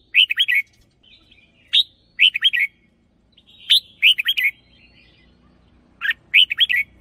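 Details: Caged decoy red-whiskered bulbul singing its doubled phrase: clusters of three to four liquid, bubbling whistles repeated roughly every two seconds, with softer trailing notes between the bursts.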